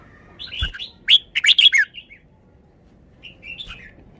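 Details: Red-whiskered bulbul showing off its song phrases: a quick burst of bright, warbled whistled notes around the middle, then a softer short rising phrase near the end, over faint low background hum.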